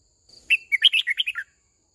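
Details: Red-whiskered bulbul decoy singing a flock-calling, voice-training song for young birds: a single brisk phrase of roughly eight liquid, warbling notes, with a faint high whistle in the background.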